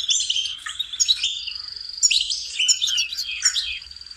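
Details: Training song of a goldfinch: rapid chirps and liquid twitters mixed with short, sustained high whistles, all delivered as one lively, continuous phrase.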